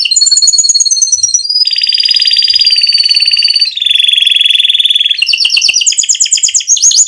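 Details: Canary pouring out a long rolling song, played to coax other canaries into song. Loud, dense buzzy rolls hold steady pitches for one to two seconds each, shifting lower and then higher, ending in quick bright trilled phrases.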